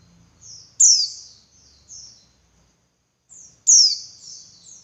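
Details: A female Javan white-eye calls to spur males into singing: two loud, sharp, high downslurred chirps with trilled tails, each preceded by softer high notes.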